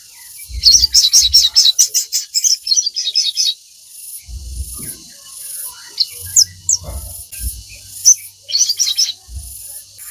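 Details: Crimson sunbird singing, a recording for teaching captive birds: quick series of piercing high twitters, then sparse thin chips and brief trills, against low knocking sounds.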